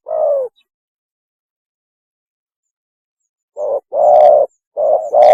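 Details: Spotted dove mating call for luring: one long low coo, then a long silence, then a short coo, a longer coo and another short pair near the end.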